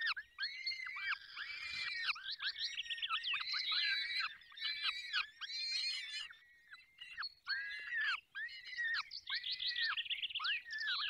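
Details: Feeding at a falcon nest in the Barycz Valley, Poland; repeated arched, wailing squeals from several birds overlap in long bursts, later settling into a steady series of bowed calls about every second.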